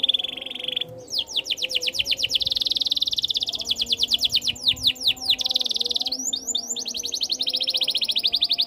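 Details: Canary in full song, meant to coax caged canaries into singing. A soft buzzy roll gives way to a rapid train of sweeping notes, a bright rolling trill, then quick swooping notes and another fast trill.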